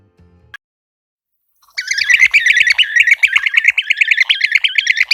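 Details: European Bee-eater, calling in a recording, described as distinctive, mellow, liquid and burry: after nearly two seconds of quiet, a dense run of rolling, trilled notes repeats rapidly and continuously, stacked with overlapping calls.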